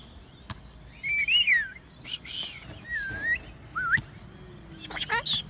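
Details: Tame sulphur-crested cockatoo visiting a park, perched on a hand and talking: a series of whistled, gliding rising-and-falling phrases mixed with harsher broadband bursts, among human voices and handling noise.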